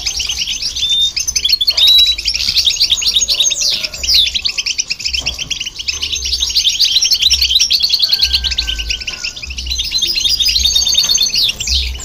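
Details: Long stretch of goldfinch and hybrid song aimed at stimulating listening birds: bubbly high twitters, buzzy trills and a few pure whistled slurs, pausing briefly around the middle, over a faint low hum.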